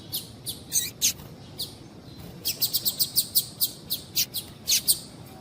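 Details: Calls of a female double-collared seedeater, played to make males sing: a steady stream of short, very high piercing chips, scattered at first, then spaced about every quarter second in a quickening series.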